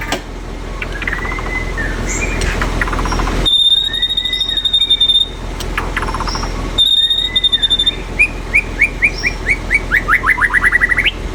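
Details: White-rumped shama song, a lively run of clear whistles and buzzy phrases that switch abruptly, ending in a fast series of rising, slurred notes repeated roughly twice a second; a steady low hum sits underneath.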